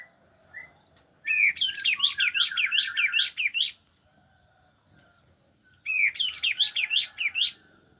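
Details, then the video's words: Aviary-kept male grey-backed cisticola giving two phrases of fast, repeated rising chirps with a lower trill in the first, each phrase lasting roughly two seconds, separated by quiet; faint background hum. "kaos tembak jantan"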